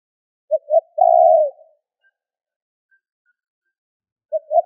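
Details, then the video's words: Spotted dove call used for luring wild doves: two short soft coos followed by one long, steady, low coo that dips at the end, with the next phrase starting near the close; silence between phrases. "Tiếng chim cu gáy gọi thúc kích bổi nhanh nổi"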